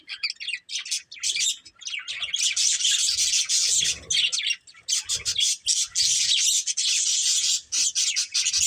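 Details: Pet budgerigars of a family group trill and chirp in a dense, rasping high chatter that starts in patches and becomes almost continuous, with faint low thuds underneath.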